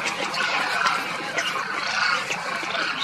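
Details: Wintering demoiselle cranes, migrants from Mongolia, gathered near Kheechan village in India's desert state of Rajasthan; a dense chorus of overlapping rolling, trumpeting calls from many birds at once, continuous throughout.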